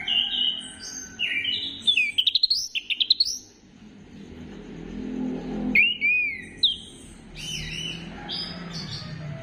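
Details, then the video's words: Orange-headed thrush song used as a lure to get birds singing: varied high whistled phrases, a fast stuttering trill of rising notes near the second second, a quiet pause, then sliding and looping whistles with a low background hum. "Gacorkan Burung Anis Kembang Dengan Pancingan Suara Ini"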